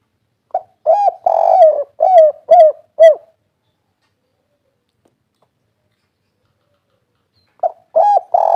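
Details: Spotted dove (derkuku, tekukur) giving its 'kuk 3' style call, a local wild voice used to prompt caged birds to sing: a run of five or six low hooting coos over three seconds, silence, then the phrase starting again.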